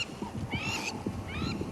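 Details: Crowned Lapwing at sunset in the African bush at Djuma and Arathusa gives two harsh, ringing calls about a second apart, each briefly rising then steady, over a low rumbling background.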